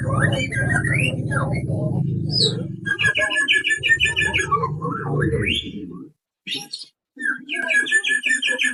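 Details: White-rumped shama song used as a lure to make birds sing and get excited: bursts of rapid, repeated whistled notes, some rising and falling, broken by short pauses, over low voices and music early on.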